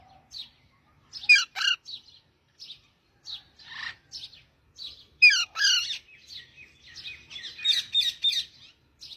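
A parrot chatters in bright, high chirps and harsh squawky bursts, broken by short whistled notes over about nine seconds.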